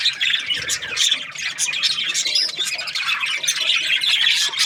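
A budgerigar chatters without pause in a busy, scratchy warble of high chirps, squeaks and clicks, with short sharper squawks mixed in.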